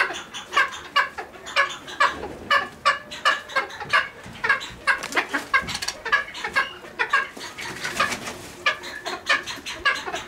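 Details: Cheer pheasant (Catreus wallichii), captive at a pheasant breeding nursery, giving harsh, dry clucking notes in an irregular rapid series, several each second, sometimes bunched into short chattering bursts.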